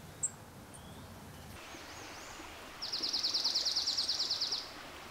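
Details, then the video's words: A Dark-eyed Junco sings a rapid, even trill of high, dry notes lasting about two seconds, after a brief faint chip; soft outdoor hiss behind. "Dark-eyed Junco"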